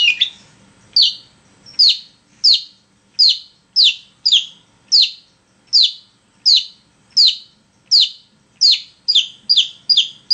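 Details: Long-tailed shrike singing as a lure to prompt other shrikes, giving a long series of sharp, downslurred high chirps spaced under a second apart and quickening toward the end.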